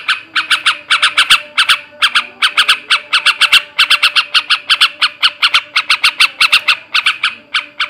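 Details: Rapid rasping chatter from a male sooty-headed bulbul, ngebrem ngekek garuda style, aimed at raising breeding condition; grouped bursts of coarse notes with tiny gaps and a steady faint hum underneath.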